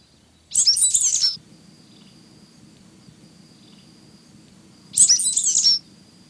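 A sooty grassquit gives two brief, high, buzzy trilled phrases about four seconds apart.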